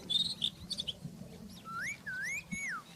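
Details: Rufous-tailed scrub robin singing in the wild: a short phrase of clear, slurred whistles, first rising then dipping and falling, after some brief high chirps, with a low steady hum beneath.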